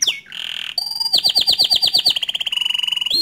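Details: Canary delivering a provoking song for other canaries: a descending whistle and harsh buzzy note, then rhythmic chopped trills speeding into a steady high rolling tour.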